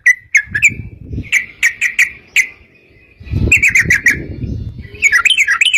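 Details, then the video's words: Yellow-vented bulbul song used as a lure to make other bulbuls sing. Scattered sharp chirps are followed by a brief rapid warbled burst. Low rustling or handling noise is heard underneath. "trucukan gacor TARUNG ROPEL PANJANG pancingan trucukan agar bunyi jadikan burung trucuk gacor NYAUT"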